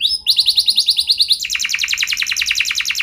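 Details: Canary song used as a lure to prompt other canaries into long rolling song: rapid repeated high trills, first a series of downswept notes, then a faster run of stacked chirps at about three per second.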